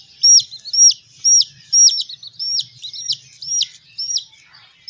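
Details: Baby chickens being reared give loud, clean peeps about twice per second, each note sweeping up then down, in a fairly steady rhythm.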